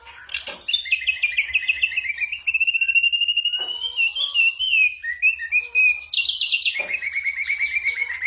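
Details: Ashy drongo song full of imitations: rapid rolling trills sliding down and levelling off, sharp whip-like notes, and a bright stepped phrase, delivered almost without pause, suited to training songbirds.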